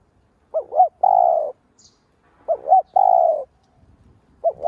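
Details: Spotted dove giving its lure coo to stimulate other doves: repeated phrases of two short, quavering low notes and then a drawn-out coo that drops slightly, roughly every two seconds, with the start of a third phrase at the end.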